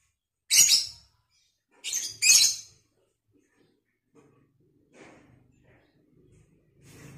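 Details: Lovebird in vocal training: three sharp, high shrieks, one alone and then a close pair, followed by faint scattered chatter and low rustling.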